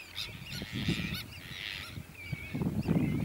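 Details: Pied avocets on Texel, Netherlands, dated 06-07-2013: short, clear, arched whistled notes, several overlapping in quick succession, over low rumbling wind or handling noise.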